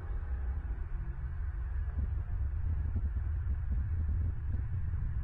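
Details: Only a deep, throbbing low rumble like wind or machinery is heard, with no animal calls.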